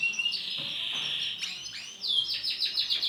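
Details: Male Starblue canary singing: continuous high twittering and rolling trills, with buzzy sweeping notes and rapid repeated chirps toward the end.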